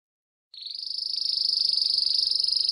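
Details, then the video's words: Timbrado canary song for training young birds, here a single smooth, sustained high rolling note that starts after half a second of silence and swells gradually in loudness. "التغريد الأقوى للكناري لتعليم الفراخ THE BEST CANARY SINGING"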